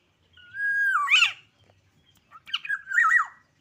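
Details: Agitated black-naped oriole learning to sing: a clear level whistle that breaks upward into a harsh, squawky burst, then a pause and a second rough, wavering phrase ending in a steady whistled note. Quiet low thumps in the background.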